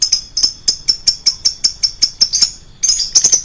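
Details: Lovebird lure sound, described as shrill: a rapid string of thin, high, clipped chirps, roughly two or three per second, with a brief pause before a denser cluster at the end.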